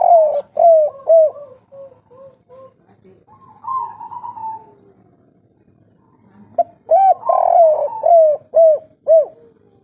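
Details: Local spotted dove, an old forest bird, giving 'kuk 3' coos: an opening string of short curved notes, a quieter level coo midway, then another burst of rounded, repeated notes near the end.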